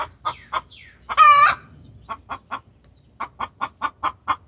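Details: Hen calling to a rooster with a distress call: quick clucks and soft falling chirps, one loud drawn-out squawk, then renewed rapid clucking in two bursts.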